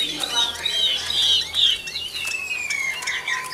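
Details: An old wild-caught Chinese hwamei kept in a cage sings loud, bright whistled phrases that end in a long, slowly falling trilled note.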